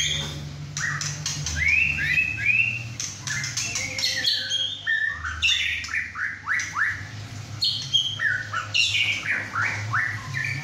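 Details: White-rumped shama, a six-and-a-half-month-old caged male after his first moult, belting out song at home with two other birds: varied fluting whistles and quick upward sweeps mixed with sharp clicks, over a constant low hum.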